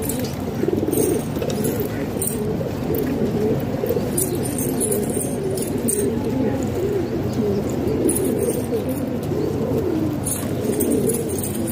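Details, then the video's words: Pet pigeons kept at home in Pakistan: continuous overlapping low cooing from several birds, a dense rolling murmur throughout, with scattered light taps and faint voices. "Pigeon Sound"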